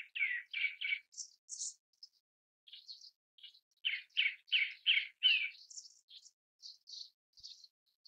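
Grey-backed Thrush giving quick runs of rich, slurred notes mixed with thin, high squeaky ones, about three a second, with brief pauses between bursts.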